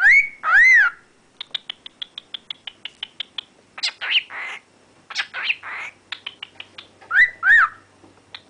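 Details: Pet cockatiel, excited over some corn, whistles rising and falling notes between quick runs of bright, clipped chirps.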